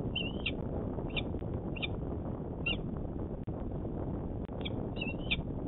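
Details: Male peregrine falcon calling at its Manchester, New Hampshire nest on 26 February 2018: a few clipped, slightly slurred chips spaced about half a second apart, over loud low-pitched hum and rumble.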